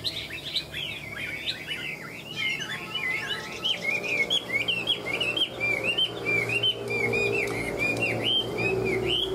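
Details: Ngũ trường song of a tame Chinese hwamei, a bird noted as a good fighter: a fast, continuous stream of jumbled whistled notes, twisting up and down, with a faint lower hum in the background.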